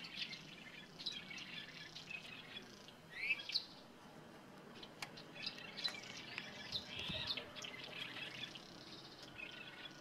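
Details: Red-rumped Swallows perched together in Landour, Uttarakhand, Indian Himalaya, giving short, thin chirps and a quick rising note, scattered irregularly over a soft outdoor hiss.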